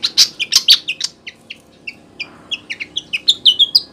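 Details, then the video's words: Rapid, chattering flycatcher calls used as a lure in the wild: loud high chirps at first, softer scattered notes, then quickening bright twitters. "suara burung sikatan gacor cocok untuk mikat di alam liar"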